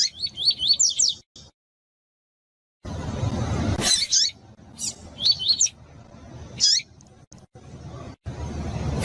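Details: Female double-collared seedeater calls, used to stimulate male seedeaters to sing: high, thin chirps in quick bursts of three or four, separated by pauses, over a low background rumble.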